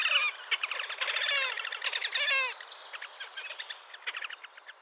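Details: Slavonian grebe in the wild, Gavieze, Latvia, May 2024, with a burst of rapid nasal trilling and squeals that fades into quieter, spaced chattering notes.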